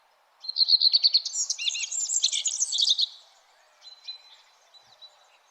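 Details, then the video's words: Sunrise chorus in the early morning: after a brief hush, a fast high twittering song runs for about two and a half seconds, followed by a few faint thin whistled notes. "Sunrise early morning birds chirping sound"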